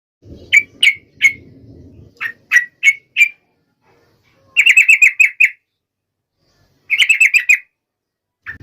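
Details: Yellow-vented Bulbul (trucuk) song played to make other trucuk birds sing: bursts of sharp, bright chirps, a slow group of single notes followed by two rapid runs of about six notes each, with pauses between, and soft low rumble early on.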